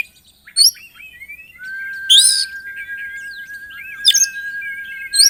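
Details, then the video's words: Oriental magpie-robin in full 'isian' song: a long flat sustained whistle runs through most of the phrase, broken by loud harsh buzzy bursts and short chattered notes. "KACER GACOR ISIAN"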